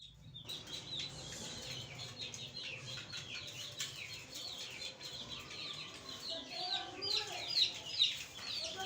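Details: Young domestic chicks, a freshly arrived group, peeping together in a continuous chorus of high, short, downslurred cheeps, many overlapping, roughly two per second, with a few louder peeps near the end.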